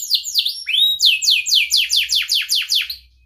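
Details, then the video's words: Canary song for teaching young birds: a few varied swooping whistles followed by a rhythmic series of about nine descending slurred notes, roughly four per second, fading at the end. "kenari gacor panjang Cuit Cuit EMOSI, Pancingan Kenari Paud Belajar Bunyi"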